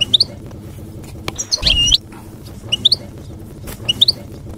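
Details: European goldfinch, country-style campero song for teaching young birds; short triplets of high tinkling chirps recur every second or so, interrupted once by a harsh, buzzy nasal phrase.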